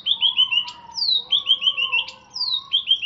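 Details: Chatty greater green leafbird of Alas Purwo, Banyuwangi stock, caged and freshly bathed. A run of quick downward-slurred whistles repeats about every second, broken by sharp high ticks, over a steady lower whistled tone.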